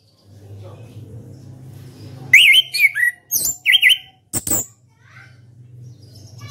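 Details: Ngeplong song from a champion caged orange-headed thrush: a rapid string of loud zigzag whistled notes sweeping up and down, followed by a couple of harsh high bursts, with a low hum in the background.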